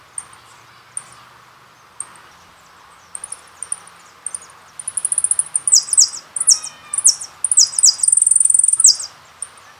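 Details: Jilguero on the Carasucia CD: spaced single high chips for several seconds, building into a lively song of quick descending slurs, rapid twittering and a buzzing trill near the end.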